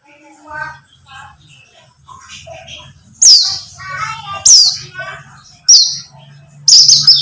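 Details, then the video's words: Buxtomi white-eye heard as a lure to get white-eyes singing. Single sharp, high, downslurred notes ring out roughly every second above a low, murmuring background and faint lower chirps. "Pancingan pleci buxtomi agar bunyi"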